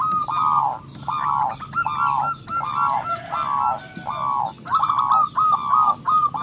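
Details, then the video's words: Local zebra dove singing loudly, played as a lure to stir other doves to sing: steady run of short, flat, slightly falling cooing notes, roughly one and a half per second, over low background hum. "perkutut lokal gacor suara besar pancingan super ampuh"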